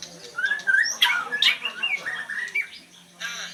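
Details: Oriental magpie-robin giving slurred whistles and sharp scratchy notes in quick succession, with a brief rasping burst near the end.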